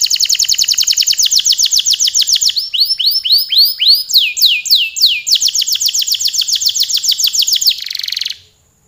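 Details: A canary's long gacor song: an extended fast trill, then slower swept whistled phrases, then another rapid trill that stops abruptly.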